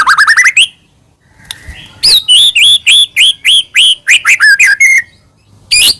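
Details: White-rumped shama song played as a provoking lure for another shama: rapid ascending trill, a pause, then a long run of clear looping whistled notes, roughly three per second.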